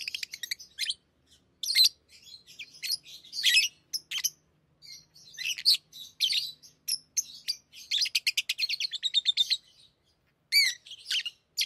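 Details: Pet lovebirds giving continuous high, scratchy chatter with rapid clicking trills and sharp squeaks, the notes run together in a busy stream.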